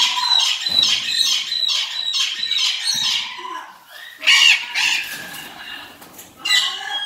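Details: Blue-headed macaw (Ara couloni) gives harsh, raspy squawks in a fast run, then two louder screeching bursts after a brief pause.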